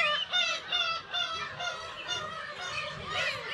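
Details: Black-tailed gulls calling at their Kabushima colony in Hachinohe, Aomori, in June with chicks; rapid, overlapping nasal mewing cries, several birds at once, a loud nearer call rising near the end.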